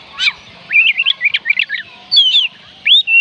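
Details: Oriental magpie-robin singing, a recording meant to prompt lazy birds to sing: a quick run of jumbled chirpy notes, then two clear drawn-out whistles, one slurring down and one rising.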